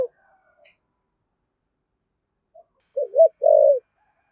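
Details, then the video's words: After a few faint clicks, a decoy spotted dove gives one 'giọng thổ' coo: a double wavering note, then a long, low, mellow coo. "Chim Cu Mồi/ cu gáy giọng thổ thúc gù"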